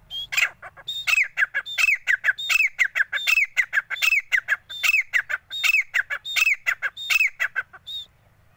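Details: A male grey francolin calls in a loud, shrill, ringing series, each phrase a high whistled note followed by clipped harsh syllables, repeated about every 0.7 seconds.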